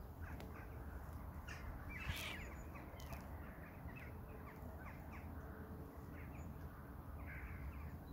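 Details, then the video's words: Crows calling outdoors, several harsh caws scattered through the recording, with one louder caw near the middle over a steady low rumble of background noise. "Sounds of Crows"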